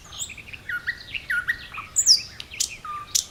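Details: Common nightingale at Khoroshevo, 29 May 2011, singing a varied phrase of quiet warbled notes, a sharp descending whistle, clicks and a clear low whistled note near the end.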